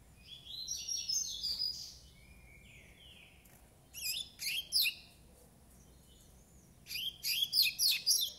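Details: Young coleiro pardo, a Double-collared Seedeater nine months old, delivering three phrases of fast, high-pitched chattering and slurred whistles, each phrase about a second long, separated by pauses; soft background hum.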